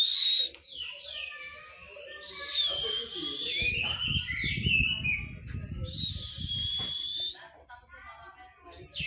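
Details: Orange-headed thrush singing: loud, clear whistled phrases high in pitch, with sliding and warbling notes. A rough, low rumbling noise runs through the middle section, and the song resumes with a sharp whistle at the end.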